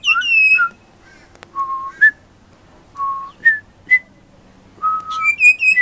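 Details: Young pied butcherbird singing at very high pitch: a run of pure, ringing whistled notes at varied pitches, some held and some short, spaced by brief pauses, rich overtones above the notes.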